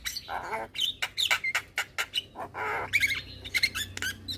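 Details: Javan myna (jalak kebo), white-eyed, sung as a tutor recording so young mynas learn to sing: loud varied whistles, squeaky chatter and harsh buzzy bursts in quick, irregular succession, with a faint low hum behind.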